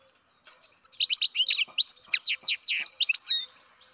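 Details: Captive-bred baby European goldfinch giving a fast run of high, thin twittering chirps, each note sliding sharply up or down, packed tightly for about three seconds, with a faint low steady hum behind.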